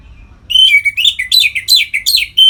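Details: Orange-headed thrush ngeplong song, played to draw captive birds toward breeding condition: a loud, continuous run of sweet whistles sliding up and down, ending on a clear held note.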